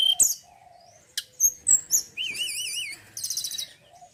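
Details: Male mountain forktail (tledekan gunung) with sharp high whistles and clicks, a rapidly wavering warbled phrase, then a buzzy rattle.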